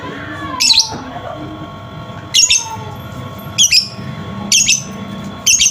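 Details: Lovebird vocal prompt for a non-singing lovebird: five short, shrill high twittering bursts, some doubled, spread over about six seconds, with faint low murmur beneath.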